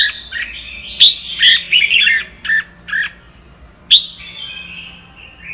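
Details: Red-whiskered bulbul of the Sông Kon type, a kept songbird, used as a voice-training model; short bright warbled notes and quick slurred phrases, then a pause and a single sharp note with a trailing whistle.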